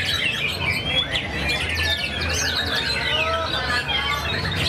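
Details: Caged white-rumped shama competing at an anniversary bird-song contest in Karawang, its first appearance since moulting and a class winner; rich, continuous phrases of bright whistles and sweeping notes against background hum and voices.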